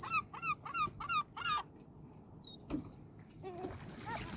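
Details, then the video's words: Gulls by the sea give a quick run of five harsh, nasal, rising-and-falling squawks, then a thin high whine and lower calls, over a steady wash of sea. "Sounds of Seagulls"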